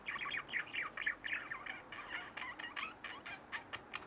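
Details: Pair of pet budgerigars chattering indoors: fast, scratchy warbled phrases at first, then breaking into short repeated chirps, several per second.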